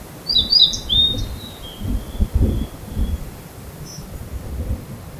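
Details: One of two blue-and-white flycatchers disputing a territory in a spring field gives a quick high whistled phrase that trails off into thin fading notes, with low rumbling background noise. Recorded at very close range on a camera-mounted microphone.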